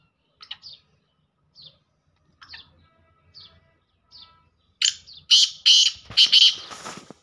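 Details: Black francolin calling: a few faint, short chirps at first, then a loud burst of harsh, grating, broadband notes in quick succession over the last two seconds.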